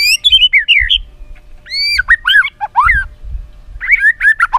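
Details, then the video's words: Mimicry-filled song of a white-rumped shama, played to prompt other shamas to sing: a rich, varied run of loud whistled and slurred notes, some rising, some falling, with brief pauses between bursts. "isan muray bagus,cocok buat pancingan gacoran muray batu isiann mewahh"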